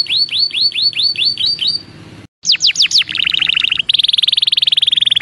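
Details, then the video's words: Belgian canary song used to warm up young canaries: a row of quick arched notes, a short pause, falling sweeps, then a rapid trill and a fast, steady rattling series of notes. "ENCARTE CANÁRIO BELGA PARA FILHOTES"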